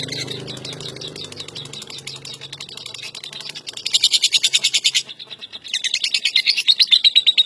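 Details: National champion lovebird in long-duration ngekek: after a soft low hum and faint chatter, fast high pulsed chattering bursts start strongly midway, pause briefly, then resume as a sustained rapid trill to the end.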